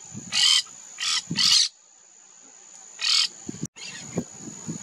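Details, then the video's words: Monk parakeets recorded in wetlands of the Maldonado river estuary, Maldonado, Uruguay, in February 2024: harsh, broadband screeching squawks in short bursts, four loud ones with gaps, plus faint low thumps and a steady high electronic tone. "Monk Parakeet (Myiopsitta monachus)"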